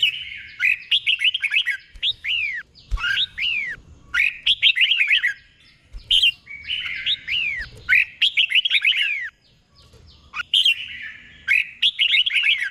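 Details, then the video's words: Tutor red-whiskered bulbul for caged birds, giving its doubled 'boen' song: long series of melodious phrases, each a cluster of arched, downslurred whistles, with brief breaks between them. "เสียงนกกรงหัวจุก | สุดยอดนกครู เบิ้ลชัดๆ เบิ้ลเป็นคู่ๆ"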